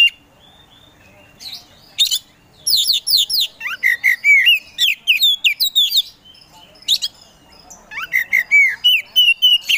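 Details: Oriental magpie-robin, a contest kacer, in full gacor song: a soft opening note, then rapid cascades of high slurred whistles and chattering clicks, a short lull, and renewed rising whistles ending on a level tone.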